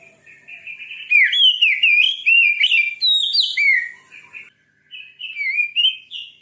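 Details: Shama song used to rouse a listener's bird to sing, a continuous run of rich whistled notes sliding up and down, bright phrases packed closely, a brief gap, then more warbling.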